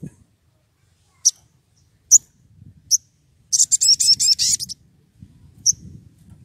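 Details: Wild Velvet-fronted Nuthatch (sogon), excited and calling out a rival, used as a lure: sharp, very high thin chips spaced about a second apart, then a rapid high trill lasting about a second, with faint low rumble behind.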